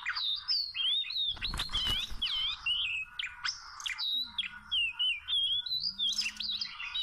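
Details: A wild Oriental magpie-robin sings a long, varied string of whistled phrases, rising and falling and repeated in quick succession, during trapping with small ropes; a brief burst of rattling noise comes early on.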